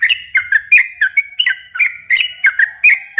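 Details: Song of a yellow-vented bulbul (trucukan), used to lure young birds: bubbly whistled couplets, each note a quick upward flick, delivered at a brisk, slightly irregular pace against a clean background.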